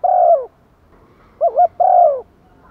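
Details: Decoy spotted dove calling to lure wild doves. A long mellow hoot, then a quivering double note and a second sustained, softly falling hoot.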